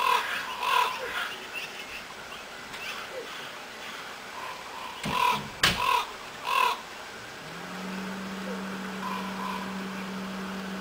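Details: Wild black crows calling from pine trees by a house on Afognak Island, Kodiak, Alaska. A rasping caw opens, then a burst of three loud caws in close series, followed by a steady low mechanical hum.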